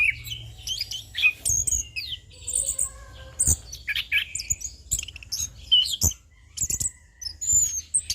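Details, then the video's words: Relaxed ngeplong singing from an orange-headed thrush, known locally as anis kembang or punglor, used as training and lure song: a busy run of sharp chirps, whistled slides and a few lower steady tones, faint hum beneath. "MAsteran dan Pancingan Burung Anis Kembang / Punglor - AK Ngeplong Santai"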